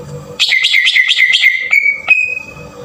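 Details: Cucak ijo (green leafbird) lure in the harsh tembakan kasar style, meant to set other birds singing. A quick trill of repeated wavering notes settles into a long level whistle, then a sharp note and a higher held whistle.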